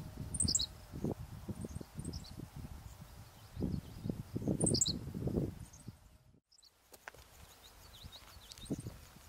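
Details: Henslow's sparrow singing on 8 June 2013 at Weldon Springs Interpretive Center: its tiny, high, hiccup-like song twice, about four seconds apart, over heavy low wind rumble and thumping.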